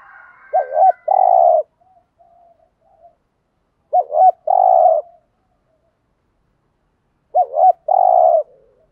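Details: Spotted dove coo series used to provoke and excite captive males. Three even phrases come roughly every three and a half seconds, each a wobbling double note then a long burry coo, with faint soft notes between.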